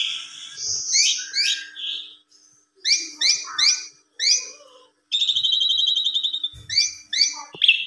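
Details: Asian pied starling singing a melodious, lilting song used to prompt a silent starling to start singing: a fast mix of clear whistled notes, short repeated chirps and a long harsh buzzy rattle, with brief pauses between phrases.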